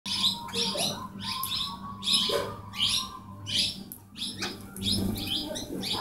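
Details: Plum-headed parakeets, recorded on a hidden camera at Shambhuwala, Nahan, Himachal Pradesh, India, give shrill, squeaky high calls in quick bursts, about one a second, over a steady low electrical hum.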